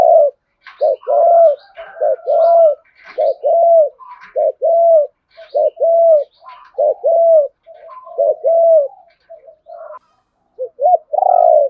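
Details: Spotted doves, cock and hen, calling to incite a rival bird to fight; a dense run of repeated short arched coos, nearly continuous, with faint higher chirps above.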